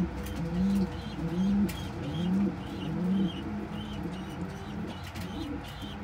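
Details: Pigeon feeding crop milk to a tiny baby in a kept flock; low, soft, rounded coo notes repeated about every three-quarters of a second, fading later amid faint higher chirps from other birds.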